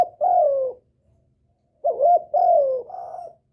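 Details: Spotted dove lure call used to provoke wild birds and call in a male: low hoarse coos, one drawn-out falling note, a pause, then a quick doubled coo followed by two longer descending notes.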